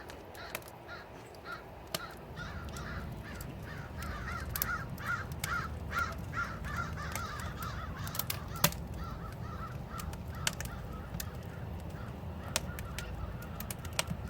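A crow gives a fast run of harsh, repeated caws, several a second. A crackling fire snaps and pops throughout over a low rumble.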